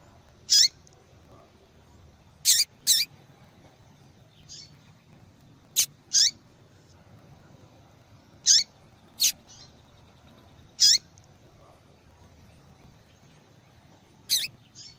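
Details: Female double-collared seedeater calling persistently to attract males, used to stimulate singing in males; short sharp high chip notes, often in pairs, given irregularly every one to three seconds over faint background noise.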